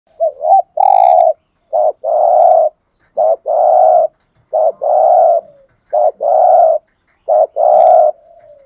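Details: Decoy spotted dove cooing to lure other doves: six repeated phrases, each a short wavering double note then a longer buzzy, husky coo, spaced about every 1.3 seconds, in a quiet setting.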